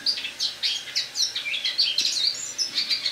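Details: Caged Eurasian blackcap singing its autumn song indoors on an October morning, a dense, quick chattering warble of high scratchy and whistled notes running without break.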